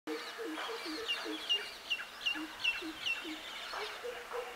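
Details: Greater coucal (Centropus sinensis) giving a series of deep, hollow hoots at a steady pace, with sharp high chirps from other birds over the top.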